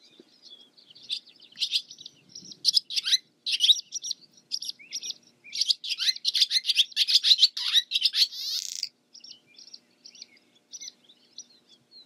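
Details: Barn swallow (Hirundo rustica) singing a long, rapid twittering phrase that speeds up and ends in a grating buzzy rattle, followed by a few soft separate notes.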